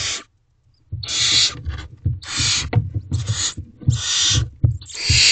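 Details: Several barn owl owlets in a nest box at 9:57 pm, 5/8/23, feeding in turns on a rabbit; a near-continuous run of loud, harsh hissing screeches, overlapping and repeated every second or so, with scraping thumps beneath.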